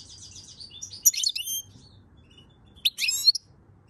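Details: Singing European goldfinch, May 2022: a short series of quick high chirps followed by two dense twittering bursts with clear whistled notes, over a low background hum.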